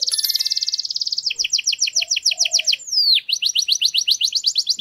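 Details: Canary giving a faultless training song for chicks: a rapid buzzy high trill, then a slower tour of paired chopped notes, a long downward swoop, and another quick rolling tour.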